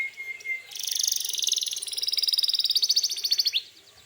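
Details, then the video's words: Canary song for provoking rival canaries to respond: a brief whistle opens into a long, fast, grating trill that climbs slightly before ending abruptly. "suara burung kenari gacor ini paling ampuh untuk pancingan kenari agar Nyaut emosi"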